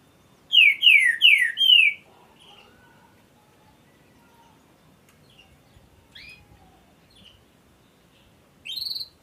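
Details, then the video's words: Trinca-ferro, the green-winged saltator, singing as if ready for a song contest: four loud, clear whistled notes that slide downward in quick succession, then near silence with faint distant chirps, and one more bright whistle at the end. "Trinca Ferro, tá pedindo torneio."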